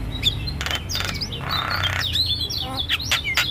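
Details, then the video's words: Javan myna song for training cage birds: a busy mix of sharp whistles, harsh buzzy bursts and chattering notes at high pitch, over a low steady hum. "Masteran Burung Jalak"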